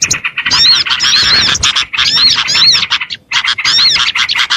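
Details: Twittering chorus of small birds used as a lure: loud, crowded chattering with looping whistled notes in several long runs, and a short silence near the end.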